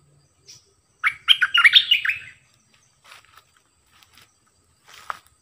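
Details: Decoy bulbul singing many songs: one rich, bubbly phrase of fast, slurred whistled notes lasting about a second, followed by a few faint, soft chirps and a short note near the end.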